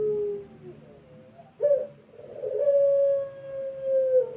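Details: Pelung-style cooing of a Barbary dove, used to lure other doves: a fading coo, then a short abrupt note and one long, steady, mellow drawn-out coo that sinks slightly at the end.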